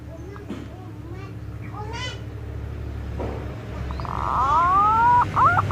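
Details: Adult green pigeon: a few faint notes are followed by a loud, clear rising whistle and short bent whistled notes near the end, over a steady low hum.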